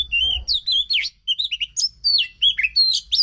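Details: Oriental magpie-robin song used to prompt a silent bird to sing: varied whistled phrases, sliding and warbling notes with sharp high chips, delivered in quick bursts with short pauses.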